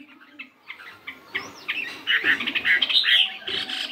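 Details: 72-gram Chinese hwamei fighting bird in morning song practice: soft scattered notes at first, then louder tumbling whistles and warbles with some background noise.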